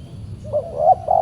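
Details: Spotted dove during a Saturday decoy trapping session with an aggressive wild bird responding; a brief run of soft, rising and falling coos over a low hum.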